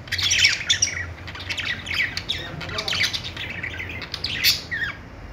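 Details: Budgerigar chattering: a quick string of high chirps and squeaks that rises to a brief louder burst toward the end, over a soft low hum.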